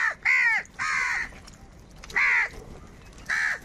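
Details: Crows fighting for food give harsh, nasal caws, four separate calls spaced unevenly over a few seconds, each a short arched rasp, over a soft outdoor background.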